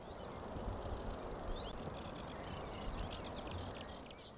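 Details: Male common grasshopper warbler, a shy bird hidden low in dense reed in the marshy parts of the Amsterdamse Bos, Netherlands, singing at dusk. An unbroken, very high, fast-ticking insect-like reel holds steady throughout, with brief chirps from other birds beneath.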